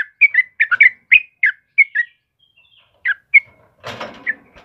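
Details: Yellow-vented bulbul, a trucukan singing gacor for caged-bird masteran: bouncy whistled chirps tumble quickly, then a gap, two more notes, a short rustling burst and a final chirp.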